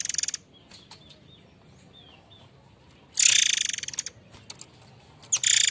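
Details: White-rumped shama, the form known locally as murai air mancur, giving harsh notes used to lure and train other birds. Three loud, pulsed, buzzy rattles, each under a second, with faint ticking between them.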